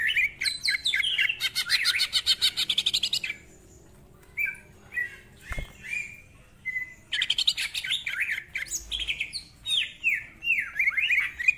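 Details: Greater green leafbird pouring out dense, harsh trills and chattering phrases, pausing for scattered single whistles, then resuming with fast varied notes; a full-isian ngentrok song delivered in rapid bursts.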